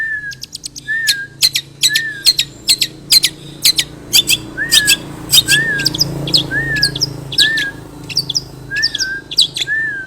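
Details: Long-tailed shrike song loaded with mimicked phrases, including fighting-sparrow material, used as a lure to set other shrikes singing: harsh broadband chattering bursts alternating with short slurred whistles, repeated rapidly over a low steady hum.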